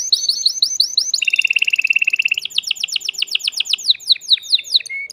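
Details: Male canary singing hard in a cage to stimulate a female for mating: rapid descending chirps, a long low rattling trill, then fast sweeping notes again, with a short whistle at the close.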